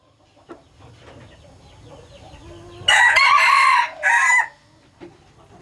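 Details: Hybridized Laos-strain red junglefowl breeding rooster crowing once: a loud, harsh two-part burst lasting about a second and a half, the second syllable clipped short, after a quiet stretch with faint background clucks.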